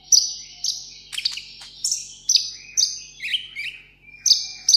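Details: Tabletop caged sunbird, the seven-coloured kind, singing a solo contest song: high, sharp, piercing notes repeated about twice a second, mixed with lower slurred whistles.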